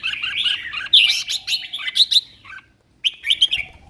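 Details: Caged competition red-whiskered bulbul in full song: bubbly, warbling phrases with sharp high accents, a short silence, then a renewed burst of chirping notes.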